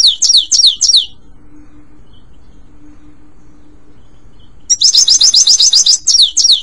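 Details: European goldfinch singing, used for training a pet bird; a few descending slurred chirps, a pause of several seconds with faint low hum, then a fast high twittering trill and more slurred notes.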